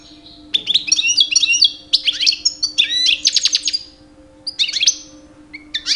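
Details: Two-year-old male European goldfinch, kept bird, singing loud rich song in mating season to attract females: rapid tinkling, twittering phrases of high buzzy and liquid notes in dense bursts, with short pauses between runs; faint steady low hum behind.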